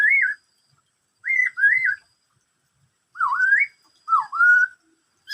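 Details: Black-throated laughingthrush singing "bắt cô trói cột": paired looping whistled notes repeated in groups, dipping and rising, the later phrases sweeping upward, with silent breaks of about a second.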